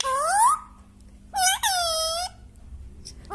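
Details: Pet talking parrot having fun indoors: a rising, harmonic wail-like note, a pause, then two longer clear tonal calls that swoop and hold, with a faint steady hum behind.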